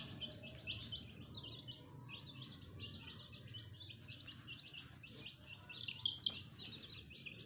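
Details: Young pet chickens, newly hatched and kept with a hen, peeping together: bursts of thin high cheeps run continuously, densest near the start and again toward the end, over low background hum.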